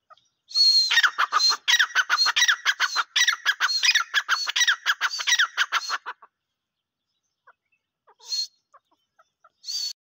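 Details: Dhakni teetar, a francolin, delivering a long rapid chain of scratchy, slurred notes for about five seconds. It breaks off into quiet, followed by two short isolated high notes near the end.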